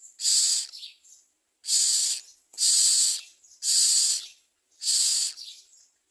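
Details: Common myna at the nest while feeding its young: five strong, noisy hissing bursts spaced about a second apart. Fainter, softer notes trail after some of them.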